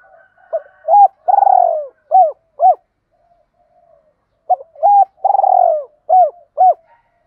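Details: Spotted dove cooing, used to stimulate other doves: soft low hooting coos in two bursts, each a short note, a longer purring coo and two clipped coos, separated by a pause of about two seconds; clean recording.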